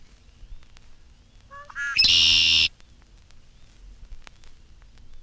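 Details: A male Red-winged Blackbird perches among sedges in a marshy spot in spring, displaying scarlet shoulder patches. It gives a few clear introductory notes, then a loud, effortful buzzy conk-la-ree trill under faint hiss of a 1954 recording.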